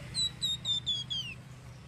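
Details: Flamboyan bird, recorded as a luring sound: five bright whistled notes in quick succession, each gently descending, the final one sliding further down, with a low steady hum underneath.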